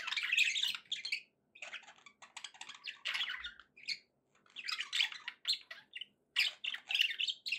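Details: Several budgerigars warbling: dense, scratchy, high-pitched chatter with squawky notes and quick chirps in irregular bursts, broken by short pauses, with no other sounds.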